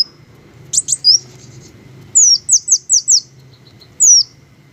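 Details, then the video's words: Green hummingbirds give high, thin squeaky chirps, with a quick run of four descending squeaks and scattered single notes over a faint low background hum. "the melodious sound of green hummingbirds"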